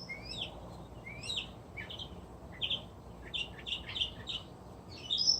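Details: Wild resident northern mockingbird singing outdoors at an animal refuge, a varied run of bright chirps, rising slurred notes and short buzzy phrases in quick succession, with a faint steady background hum.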